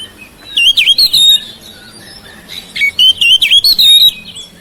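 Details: Oriental magpie-robin kept in a house, singing to stir mute birds: two bursts of rapid, looping whistles and chips, separated by a quiet pause.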